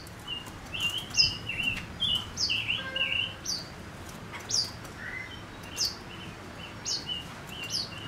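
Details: Decoy male silver-eared mesia singing to lure wild birds, fairly faint: short whistled notes in loose runs, each paired with a thin high squeak. A steady low background hiss runs underneath.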